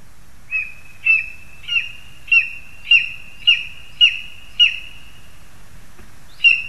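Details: Lesser spotted eagles on 2 August 2020, parents feeding their young: a run of about nine high, sharp yelping calls every half second, then a short pause before one final call, over a quiet background.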